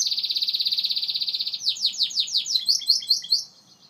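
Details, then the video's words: Song of a Gloster canary: a fast, ringing high trill held for roughly a second and a half, shifting into a run of quick down-slurred sweeps and short chirps before falling silent. "Gloster Canary Bird Singing"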